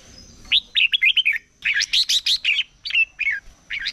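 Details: Red-whiskered bulbul, wild-caught and in voice training, singing competitively in the morning: two lively bursts of clear, rapid whistled and chirping notes, then a few separate bright calls, over a thin high hum.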